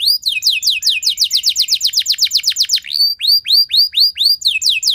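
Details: Loud, long canary 'nembak' song meant to provoke other canaries into singing: a rapid, even trill of sharp descending notes, then slower, separated upslurred whistles repeated steadily.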